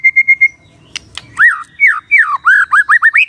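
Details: Morning magpie-robin song meant to make a quiet bird respond: four quick whistled notes, then sharp ticks, then a lively series of looping, slurred whistles getting faster toward the end.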